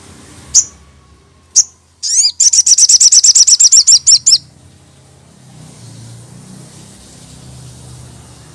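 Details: Crested jay, locally sogon, in a song used to provoke other sogon: two separate sharp high notes, then a rapid run of about fourteen ringing metallic notes over two seconds, followed by low background hum.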